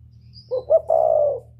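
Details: Spotted dove from northern Vietnam, whistle-voiced lure bird: one phrase of two quick clipped coos followed by a long level hooting note, over a low steady hum.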